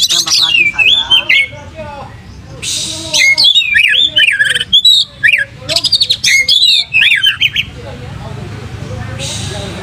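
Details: Caged white-rumped shama spreading its tail, singing varied looping whistles and quick chattering bursts, bold and fast, with brief harsh noise bursts between phrases.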